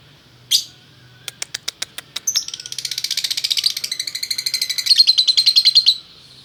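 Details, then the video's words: Pair of lovebirds, male and female, kept in Bukittinggi, West Sumatra: one shrill squeak, a series of evenly spaced clicks, then an accelerating high chatter of rapid repeated squeaky notes lasting about four seconds. "Burung Lovebird Jantan Betina Bukittinggi Gacor"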